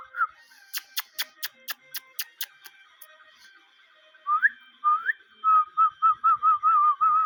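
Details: Ringneck parrot kept as a talking pet: a run of sharp clicking taps first, then rising whistles and a fast series of short wavering whistled notes repeated almost without break.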